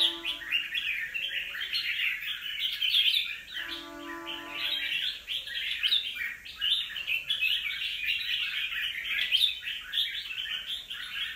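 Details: Wild-caught red-whiskered bulbul, two moults old, pouring out rapid, jumbled chirps and whistles almost without pause, with low steady tonal hums near the start and around four seconds.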